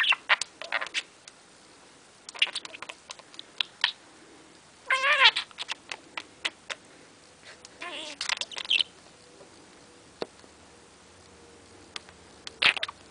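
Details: A seven-month-old male budgerigar playing with his reflection in a mirror gives bursts of warbling chirps and scratchy squawks among sharp tapping clicks.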